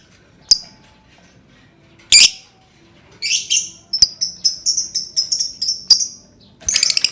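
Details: Lovebird vocalising to get other lovebirds singing: isolated shrill chirps, then a fast, rhythmic run of high, scratchy twittering notes, ending in a dense burst of rapid chatter.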